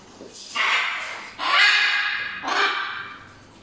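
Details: Pet macaws, a Buffon's macaw and a Catalina macaw, giving three loud, harsh, raspy squawks about a second apart, each a broad grating burst lasting most of a second, with faint background noise between calls.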